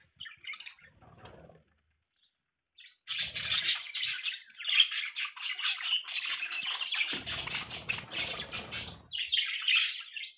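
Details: Budgerigars chirping: after a few faint early notes and a pause, a sustained run of buzzy, rapid chatter with bright squeaks sets in, briefly joined by low rustling.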